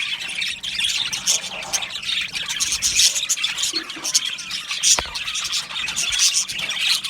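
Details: A flock of budgies in an aviary during mating, keeping up a lively chorus of high warbling chirps and thin squeaks, with one sharp click partway through.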